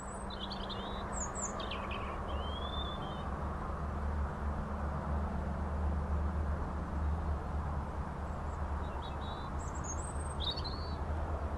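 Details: A European robin sings its morning song at Tir Founder Fields, Cwmbach, Aberdare, on 17 February 2015: thin, high, wavering phrases with short trills and pauses, over distant traffic rumble.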